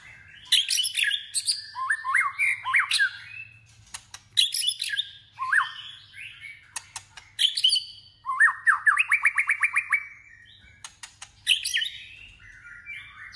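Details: Competitive training song of a White-rumped shama: a long, varied stream of loud chattering and whistled phrases separated by sharp clicks, including a fast trill of about a dozen rising buzzy notes, and faint background hum.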